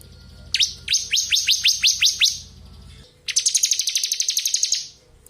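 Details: Bar-winged prinia of the crystal type, a tutor bird for shamas, delivers a row of high falling chirps at a steady pace and then a rapid high buzzing trill.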